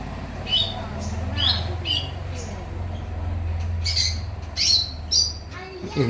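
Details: Greater green leafbird singing steadily despite the noise around it, giving scattered short, harsh high notes and squeaky chips at irregular intervals over a loud droning low rumble and faint background voices.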